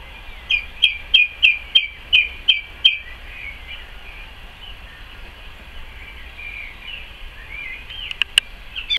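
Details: Song thrush singing in a garden on 12 May 2014: a sharp, clear note repeated about eight times in quick succession, then soft, quieter twittering, and a couple of brief high notes near the end.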